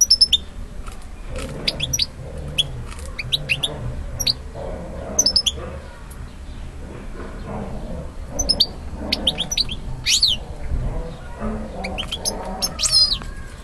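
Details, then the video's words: A male European goldfinch singing to a female, which accepts him, gives bright, tinkling twitters: quick high chirps and short liquid trills in loose bursts, over a low background hum. "تغريد ذكر طائر الحسون على الانثى"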